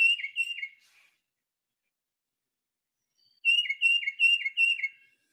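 A tufted titmouse whistles its clear two-note peter-peter song, three phrases then four more after a pause, each dropping from high to lower pitch.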